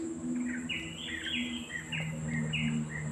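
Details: Peaceful-sounding songbird chirping: short bright chirps and warbled phrases repeated in quick bursts over a steady low hum and faint background noise.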